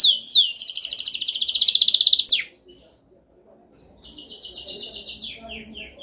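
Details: Canary song beginning with sharp descending sweeps, then a dense rapid trill building in loudness, a pause with one thin whistle, and a softer rolling trill with falling slurs; used for training.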